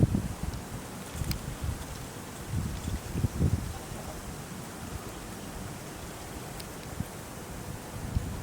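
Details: Gusty wind buffets the microphone in low thumps over a soft outdoor hiss, with no animal call heard.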